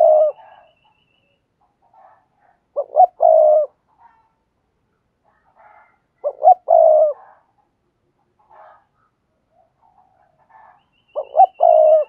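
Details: Repeated "thúc gù" coos of a spotted dove, played to train new doves to coo. Three phrases come roughly every four seconds, each made of two short hoots and a long low note. Faint quiet notes fall between them.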